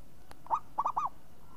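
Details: A zebra dove of champion class delivers one brief phrase of three rounded, arched coos in quick succession, crisp and ringing, after a faint click, against a low steady hum.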